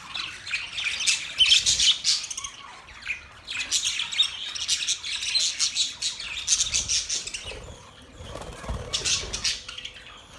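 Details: Budgerigars give a busy, high-pitched twittering chatter in rolling bursts separated by short lulls.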